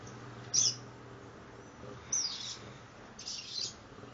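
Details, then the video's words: A 60-day-old caboclinho practising its do-re-mi song: three brief, piercing high chirps spaced roughly one and a half seconds apart, the first and second sharpest, against faint constant low hum. "caboclinho do-re-mi com 60 dias de vida aprendendo"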